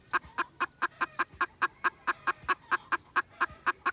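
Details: Red junglefowl, 16 December 2021, clucking quickly and steadily, a little over two clucks per second, over a low rumbling background.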